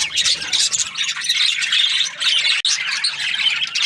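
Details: Budgerigars chirping in the morning: a dense, continuous mix of high squawky chirps and warbles from several birds, with a brief break near the end.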